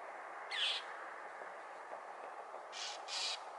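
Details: Annoyed northern mockingbird scolding a Cooper's hawk on a power pole along Potrero Road in Newbury Park; one harsh burst with a quick downward slur, then a pause, then two close raspy chacks over constant hiss.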